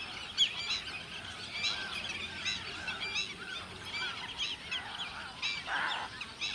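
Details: A large flock of Black-tailed Godwits filling a lake keeps up a dense, overlapping chatter of nasal, clipped calls at a fast, uneven pace, with a soft background hiss.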